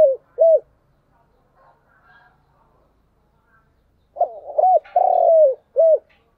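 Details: Spotted dove giving a morning lure call used to attract wild doves: two short mellow coos, a pause, then a phrase of quick arched coos, a longer drawn-out coo and a final short coo.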